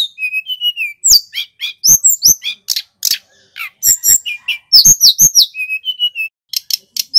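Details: Male little pied flycatcher, a local bird from Banyuwangi, Indonesia, singing loud, clear, long-running song used as a master and lure recording. Dense, varied high chirps, rapid sweeps and short whistled trills follow one another with brief gaps.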